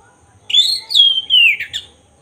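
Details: Black-breasted oriental magpie-robin singing actively as a provoking lure to trigger emotion and tail spreading: three bright whistled phrases, high and level then sliding downward, with a short buzzy end note.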